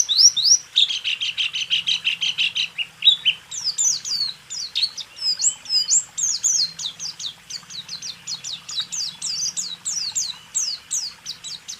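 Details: White-eye 'rool tembak' song for training caged birds to sing: opens with a long, fast, rattling series of notes, then moves into quick sweeping high chirps that continue steadily, over a faint low hum.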